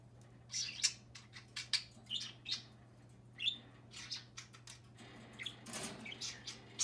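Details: A pet budgerigar perched on a finger, shut out of its cage by another budgie, talks and squawks: harsh, scratchy squawks and brief chirps in quick irregular bursts, several each second, over a steady low electrical hum.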